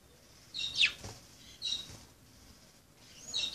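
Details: Budgerigars at play: a few bright, falling chirps and a short squeak, separated by pauses, with faint background noise.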